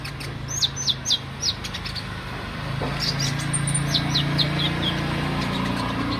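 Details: Olive-backed sunbird singing lively daily song: bursts of high, sharply descending chirps delivered in quick clusters of three or four notes, a short pause between bursts, over a steady low hum.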